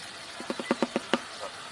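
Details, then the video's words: A shoebill gives a quick run of about seven hollow, knocking clatters in under a second, then a faint softer note, over a low background hiss. "Shoebill Storks make some Odd Noises"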